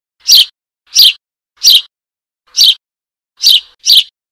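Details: A Eurasian tree sparrow chick calling for its mother gives six harsh, high chirps, roughly one every two-thirds of a second, with a quick double at the end; nothing else is heard.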